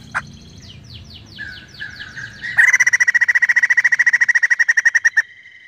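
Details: White-crested laughingthrush singing with strong emotion: a series of descending whistled slurs builds into a long, loud, rapidly repeated chattering run lasting over two seconds.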